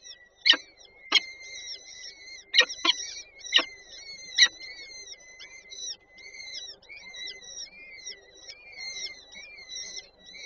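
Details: Peregrine falcons at a nest in Warszawa Żerań, Poland, on 8 May 2023, while the female feeds the chicks: high, thin, wheezy calls in quick series, broken by several sharp loud knocks or taps.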